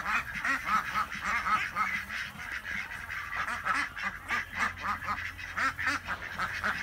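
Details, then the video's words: Twenty-six farm ducks in Chile calling as a flock, with continuous overlapping rasping quacks pulsing several times a second over nearly seven seconds. "26 Quacking and Laughing Ducks!"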